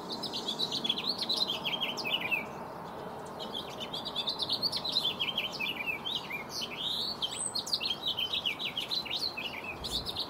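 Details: A male house finch courting a female with song and dance in a Sierra foothills backyard, California, on 10 April in spring, sings a long, rambling warble of quick, bright rising and falling notes, pausing briefly near two seconds.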